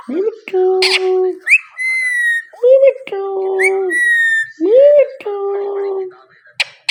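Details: Indoor Indian ringneck parrot vocalizing: repeated rising whistled notes, each followed by steady buzzy tones, in a pattern that recurs three times.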